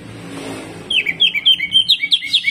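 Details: Greater green leafbird in full, harsh song: after a quiet start, a rapid run of sharp, slurred high notes, rising and falling, tumbling out several per second with faint background rumble.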